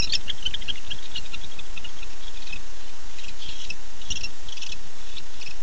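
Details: Male barn owl calling to his mate at night on 9-8-15, via nest camera: scattered short raspy, hissing high bursts with some clicks, uneven spacing, over a continuous low hum.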